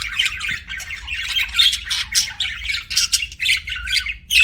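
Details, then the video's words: Continuous warbling chatter from a pet budgerigar, raspy squawks mixed with thin whistled chirps, almost without pause, over a soft low hum. "BUDGIE CHIRPING SOUNDS"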